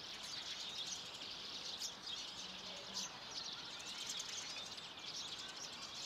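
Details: Common redpolls at a feeder, a flock of at least one hundred in early March 2024, keep up a continuous high buzzy twittering, many birds calling at once above a wash of ambient noise.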